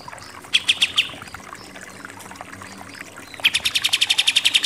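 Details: Pied triller in rapid 'nembak' shooting-style song: a short burst of four sharp chips, a pause, then a long fast run of evenly spaced, bright, high chattering notes that grows louder toward the end, with faint background hiss.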